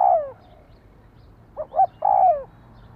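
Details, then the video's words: Spotted dove call for stimulating a decoy bird: the tail of a falling coo, a pause, then a complete phrase of two quick soft notes and a long downward-gliding coo. "Tiếng chim cu gáy thúc kích bổi nhanh nổi hiệu quả-Suara Burung Tekukur"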